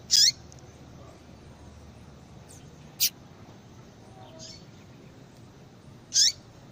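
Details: Call of a female Yellow-bellied seedeater, given to stimulate a male to sing: two loud, high, downward-sliding chirps about six seconds apart, with a brief click and a faint softer note between them, against quiet background hiss.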